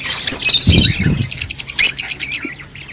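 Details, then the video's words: Rosy-faced and Fischer's lovebirds chattering to stimulate mating: shrill squawks over a brief low thumping sound, then a rapid string of about ten sharp high chirps fading out. "تغريد طيور الروز والفيشر"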